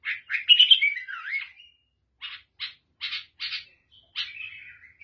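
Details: Lebanese or Syrian bulbul with a black head gives a loud warbled, swooping phrase, then after a silence a sparse string of short buzzy chirps and a final trailing note.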